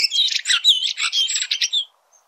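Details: Red-throated thrush in nature giving a short burst of song, a fast, squeaky, high-pitched chatter of slurred whistles lasting about two seconds before silence.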